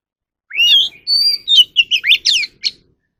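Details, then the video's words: Captive Oriental magpie-robin singing in a recording made for voice training: a rising whistle, a long steady high note, then a quick run of slurred, warbled notes. Each phrase is separated by a brief gap. There is no background noise. "kacer alam | choè than luyện giọng || Choè than kích bổi ra giọng เสียงนกกางเขนบ้าน"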